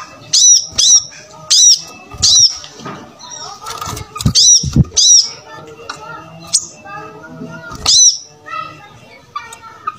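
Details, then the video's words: Energetic brown-throated sunbird song, a training model for other birds; rapid pairs of shrill downslurred notes repeat through the clip, interwoven with lower twittering phrases and clicks. "Pancingan Suara Kolibri Kelapa Gacor"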